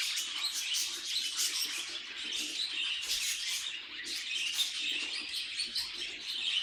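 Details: Budgerigar kept as a pet, chattering nonstop: fast, grating warbles mixed with ticking clicks and thin high chirps, the stream dipping briefly near four seconds before picking up again.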